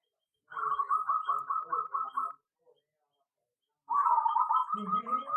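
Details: Local zebra dove kept in an aviary singing: two phrases of rapid, pulsed cooing notes at a steady mid pitch, the second phrase longer and fuller, separated by a short silence.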